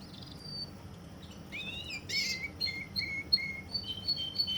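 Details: Russian canary in Kuwait starting quietly, then a brief noisy burst followed by repeated short whistled notes at two pitches, rising in loudness over a faint room background.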